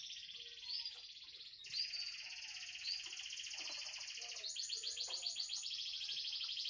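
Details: Canary song played to coax birds that are reluctant to sing: long sustained rolling trills, high and buzzy, shifting between tours every second or two, the last a bubbling rapid warble, with quiet background clicks.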